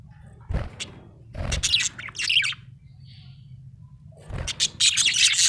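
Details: Happy budgerigar chirping: bursts of rapid scratchy warble broken by low thumps or knocks, a soft chirp midway and a steady hum underneath.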